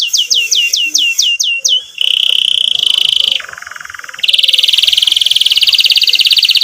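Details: Lively canary, played to coax young canaries into learning song and stalled ones into singing: six swooping downslurred chirps, then a steady buzzy roll, a lower roll, and a fast high trill.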